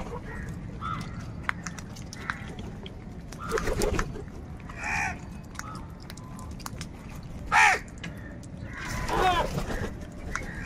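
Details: Crows calling while fighting for food. A series of hoarse caws comes roughly every second or two, including one sharp, loud burst and a raspy, wavering call near the end.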